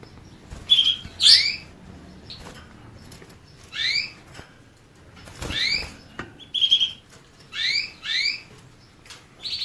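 A canary gives short, bright, high chirps and quick downward-sweeping notes in bursts every second or two, with brief pauses between phrases.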